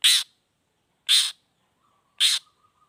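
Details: Harsh grating notes from a long-tailed shrike in the 'toet toet' lure variation, three of them about a second apart, with a faint steady low tone in the gaps.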